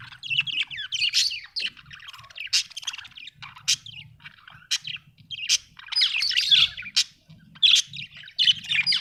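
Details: Happy budgerigar chattering busily, scratchy warbled phrases punctuated by sharp clicking ticks, over a faint low hum.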